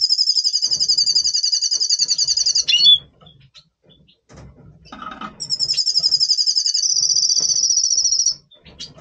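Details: Red siskin of the Double Pastel colour mutation singing in breeding mood before breeding, November 2023: two long, high buzzy trilled phrases of several seconds each, separated by a quiet pause with faint low rustling.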